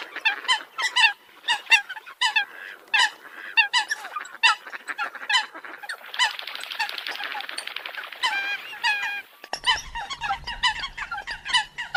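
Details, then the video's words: Eurasian coot flock giving rapid, overlapping honks and squeaky nasal notes in a continuous chatter, briefly thickening into a noisy wash midway, then a low rumble joins near the end. "tiếng chim sâm cầm obama"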